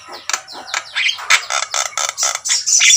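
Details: Energetic singing from a Javan myna, or jalak kebo, in its natural voice: harsh, grating notes repeated about three times a second, rising in loudness toward the end.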